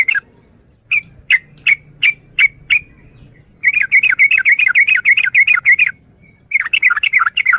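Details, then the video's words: Yellow-vented bulbul, called trucukan, uttering a few spaced clipped chirps, then a rapid run of busy chattering notes, a pause, and another bubbly phrase, over a low background hum. "Suara Burung Trucukan"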